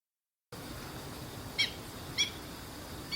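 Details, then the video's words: Black-winged stilt calling while searching for and eating food, recorded 12 September 2015 on a Canon PowerShot SX60 HS with an external microphone. Three short, sharp, harmonic-rich yelps come at uneven intervals of about half a second to a second over steady hiss. "セイタカシギ"Black-winged Stilt"の鳴き声"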